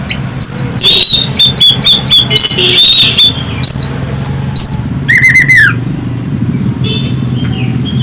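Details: Loud, melodious Orange-headed thrush song serving as a lure to prompt other birds to sing: rapid high whistled notes over a steady low hum, a quick descending trill midway, then softer notes.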